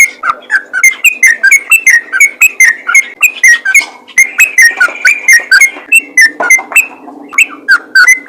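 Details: Continuous 'ropel' singing of a yellow-vented bulbul, played to encourage other bulbuls to sing. Loud, clear whistled notes tumble out rapidly and evenly for eight seconds with no pauses.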